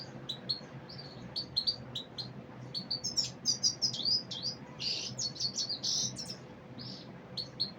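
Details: Common Iora calling: quick, sharp high chirps and short twittering notes in loose bursts, growing denser and louder midway, with a faint steady hum underneath.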